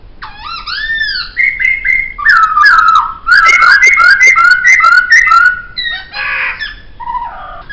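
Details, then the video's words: Melodious laughingthrush (poksay) song, with arching whistles, a run of quick piping notes repeated several times a second, then a rough harsh burst. "Masteran Suara Poksay"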